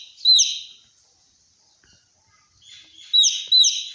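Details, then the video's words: Shrill falling peeps of a young chick, said to sound like a fire alarm; one strong note, a long quiet gap, then a softer onset and two more piercing peeps. "Baby chick sounds like a fire alarm"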